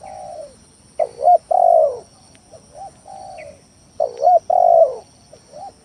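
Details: Spotted dove luring song intended to provoke rival doves into calling; gentle falling coo, then a loud rapid double coo and a long downslurred coo, phrase repeated twice with soft short coos between, faint steady hiss.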